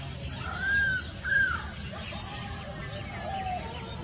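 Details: Stork-billed kingfisher, Pelargopsis capensis: two loud, clear, arched whistled notes in quick succession, then softer, lower fading notes against steady natural background hiss.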